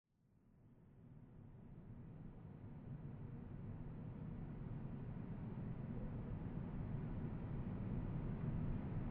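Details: Low rumbling roar that swells steadily louder, like an approaching vehicle or aircraft, with no animal calls.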